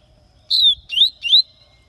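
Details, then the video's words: Papa-capim of the Bahia type, a spirited bird from Aracaju, Sergipe, said to sing all day; three clear high whistled notes, each sliding down or curving upward, evenly spaced in a short phrase. "Papacapim baianinho soltando uns cantinhos"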